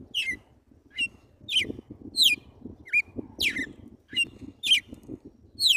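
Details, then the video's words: Red-cowled cardinal described as pure wild, singing the 'tiro de guerra' song style in the morning; clear, sharp whistled notes sliding downward, repeated about twice per second, over a low rumbling background. "GALO DE CAMPINA CANTO TIRO DE GUERRA"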